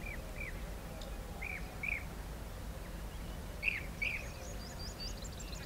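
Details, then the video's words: European bee-eaters (Merops apiaster) at a nesting colony give short, liquid, rolling 'prruip' notes, several birds calling over one another in quick succession against a low rumble of wind. "RAINBOW Bee-Eater Nest | European Bee-eater ( Merops Apiaster ) Nest Colony |Rainbow beeneater call"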